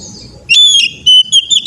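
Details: Brief Oriental magpie-robin whistled phrase for training young birds: a long level note, then several clipped whistles, over faint low noise.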